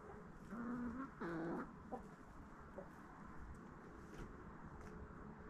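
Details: Backyard chickens eating a fall Halloween jack-o'-lantern pumpkin treat: two drawn-out, low, nasal clucking notes in the first second and a half, followed by quieter pecking and shuffling sounds.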